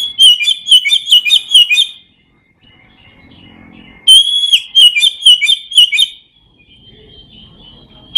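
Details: Oriental magpie-robin singing in ngeplong style for training lazy birds: two bursts of loud, ringing whistled notes, each about two seconds long, separated by a quiet pause with faint low background noise.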